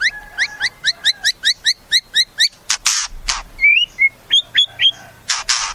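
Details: White-rumped shama repeating a quick paired whistle about a dozen times at a steady pace. Harsh raspy bursts follow, then short rising whistled notes and a final noisy rasp.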